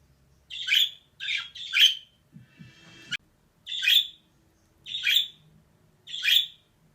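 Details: Female budgerigar making three quick harsh chirps, then a short rattling, clicking noise, then three more evenly spaced grating calls about a second apart.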